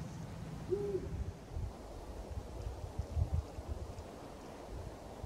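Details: At the closed Barkarby airport in Sweden, a Eurasian eagle-owl calls from a construction crane late in the evening of 26 January. One brief low hoot comes early, then strong gusting wind rumble fills the rest.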